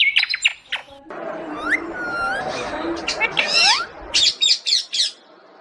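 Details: Parrot talking, with squawks and sharp harmonic chirps mixed among word-like phrases over a steady background hiss, ending in a burst of rapid high squeaky notes; music is heard in places.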